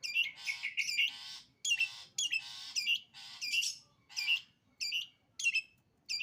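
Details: Long-tailed shrike singing sembur style: harsh, grating bursts, each ending in a sharp high squeak, repeated about every half second, with short silent gaps.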